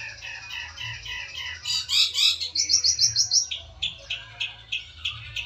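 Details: Fighter-type long-tailed shrike calling out a rival, a lure recording with a special filled song: rapid chattering phrases that shift into loud, buzzy, evenly pulsed bursts repeated about three per second, with a faint low hum underneath.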